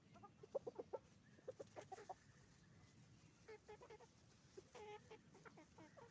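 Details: Hens and roosters calling on a chicken farm: bursts of sharp clucks early on, then nasal, buzzy cackles with layered tones repeating in short groups over constant low background noise.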